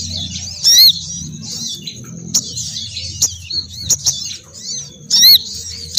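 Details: Crimson sunbird female lure call to attract males downward. Two loud, piercing squeaky bursts open and close the clip, with quick high chips and thin twitters between.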